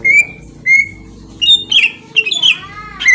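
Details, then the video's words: Green leafbird singing, used as a lure to trigger a response: long level whistles followed by a burst of harsher, buzzy chattering notes and bright slurred whistles. "pancingan cucak ijo auto nyaut bunyi langsung"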